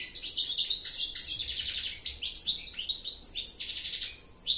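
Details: Goldfinch singing a fast, unbroken twitter of high, tinkling and buzzy notes, with quick rising and falling slurs and bright trills running without pause.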